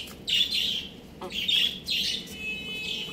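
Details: Loud, piercing chick peeps from young roosters and chicks playing at home, about four bursts in quick succession, each a high falling whistle, over a soft low hum.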